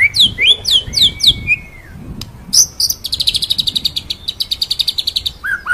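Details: White-rumped shama (murai batu) singing in ngerol and nembak style: sweeping high whistled notes, a long rising slur, then a fast buzzy series of about twenty clipped notes repeated roughly four per second, ending in a low whistle.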